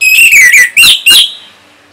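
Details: Orange-headed thrush song used to coax other birds to sing. A bright whistled note slurs downward, followed by two short, emphatic whistled notes, then quiet.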